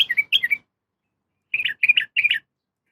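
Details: Sooty-headed bulbul female calling a male: two quick slurred chirps, then a pause, then three rising-falling bubbly notes in close succession.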